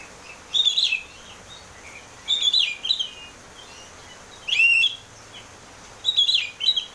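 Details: Ngeplong-style song of an Oriental magpie-robin, played to coax a caged bird into singing: four loud, clear whistled phrases with quick up-and-down slides, spaced about two seconds apart over steady low hiss.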